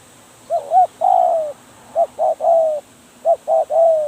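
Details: Spotted dove used as a trapping decoy cooing in quick succession: three phrases about 1.3 seconds apart, each two short hoots followed by a long, slightly falling coo.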